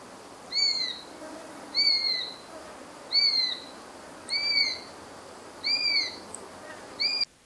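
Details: Eurasian sparrowhawk (Accipiter nisus) contact call, a straightforward "kee kee kee", heard mainly late April to July: six clear, thin, slightly downslurred notes about every second and a quarter over faint steady hiss.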